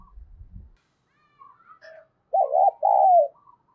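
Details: Spotted dove used as a decoy to provoke wild birds, singing a thổ-voice coo: a few low thumps and faint chirps, then a single loud two-part throaty coo, the second part drawn out and falling.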